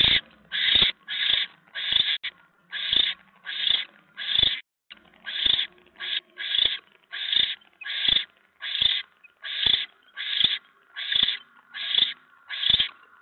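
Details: At a barn owl nest in the evening of 10 November 2017, during a mouse delivery, short harsh hissing screeches repeat steadily, roughly one or two each second, for the whole stretch.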